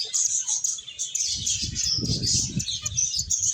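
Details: Finches at play and feeding make a steady wash of high, sharp chirps and twitters, while a low rumbling rustle, like fluttering or movement, runs under the second half.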